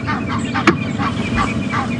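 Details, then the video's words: Egyptian geese perched in a tree at Arathusa Dam, Djuma Game Reserve, on a morning safari drive on 7 January 2016, alarm-calling amid general alarm with a monkey chattering nearby: harsh nasal honks about every third of a second over an idling vehicle. "The geese are alarm calling."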